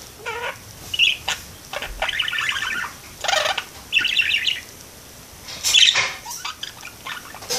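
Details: Pet parakeet sitting in a window, talking and singing: bursts of scratchy, buzzy warbling chatter with short bright chirps, broken by brief pauses, in a quiet room.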